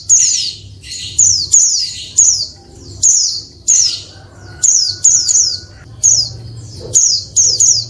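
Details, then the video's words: Calls of a female Oriental white-eye meant to make males answer and sing: rapid high thin notes sliding downward, in clustered bursts of two or three, with a soft whistle-like tone and low background hum. "SUARA PLECI BETINA RIBUT BIKIN JANTAN LANGSUNG NGALAS"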